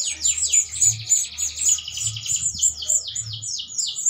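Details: Canary mating song given while feeding its young, kept by a breeder: fast repeated downward-sweeping high notes forming a rolling trill, several per second, with a steady low hum beneath.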